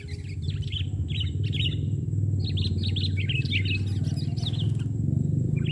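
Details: Sooty-headed bulbul singing at a trapping site, the bird coming down to the ground: chattering, warbled notes in quick runs, partly masked by a steady low engine-like rumble.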